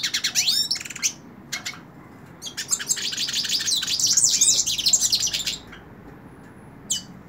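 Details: Hooded siskin singing while held in the hand: fast, high, twittering bursts of thin sweeping notes and buzzy trills, with a brief pause between phrases.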